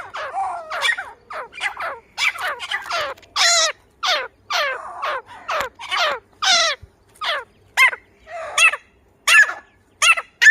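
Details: Grey francolin giving a long, loud series of rasping calls. Each note drops sharply, and the notes come in irregular clusters over about ten seconds.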